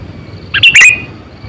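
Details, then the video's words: A single sharp, loud two-part chirp from a Sooty-headed bulbul, an experienced lure bird about eight to nine years old, used to draw in wild birds. Faint low hum behind. "Suara Burung Kutilang Gacor,100%Suara kutilang Asli"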